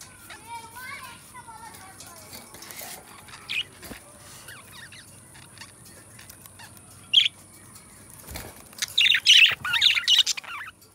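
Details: Two pet budgies, described as best friends, singing and talking: soft scratchy chatter and faint wavering whistles, a brief sharp chirp, then a loud burst of rapid buzzy, high warbling near the end, over a steady faint high hiss.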